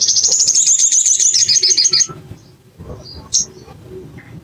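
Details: Lure recording of a bar-winged prinia meant to get birds singing fast: a rapid, high-pitched chattering trill for about two seconds, followed by quiet and a few faint, scattered chirps.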